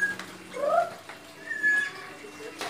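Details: A Papuan friarbird, which lacks the bill knob of the NTB koak, had flown loose and come back. It gives a short pair of rising, nasal, slurred notes over faint indoor noise.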